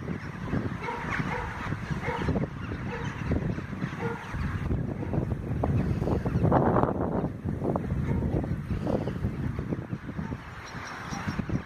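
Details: Large flock of rooks swarming over Carlow, Ireland: a dense, continuous din of harsh overlapping caws from many birds, with rough bursts repeated rapidly and no single caller standing out, over a low rumbling background.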